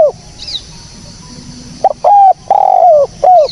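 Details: Clean spotted dove calling used to lure birds: near silence with a faint high chirp, then a phrase of short stuttering notes and two sustained, slightly bending coos.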